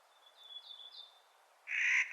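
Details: Clark's nutcracker calling in spring: one loud, harsh, grating note bursts in at the end, after faint thin whistles from another bird in the background.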